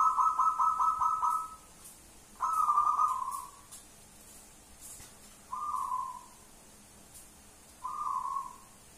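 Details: Wild local zebra dove calling repeatedly: rapid stuttering trilled coos near one pitch, each burst about one to one and a half seconds long, given four times with short pauses between, over faint background hiss and distant clicks.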